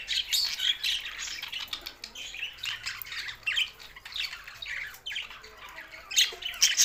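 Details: Budgerigars singing happily, bursts of scratchy warbled chatter and squawks coming in waves, louder again at the end.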